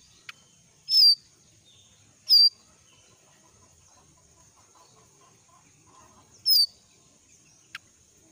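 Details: Young wild jongkangan in forest, moulting, calling: three loud, short, sharp high whistles sliding downward, spaced irregularly over eight seconds, with faint soft clicks and a quiet background.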